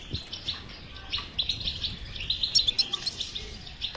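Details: Goldfinch song meant to make a silent caged goldfinch sing: rapid high tinkling notes, about four per second, building into a bright twittering trill toward the end.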